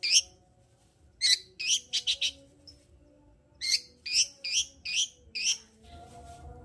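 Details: Vigorous long-tailed shrike song meant to provoke a silent shrike into singing: bright, harsh, wavering notes in two bursts separated by a short gap, each a string of four or five strident phrases, with a low background hum.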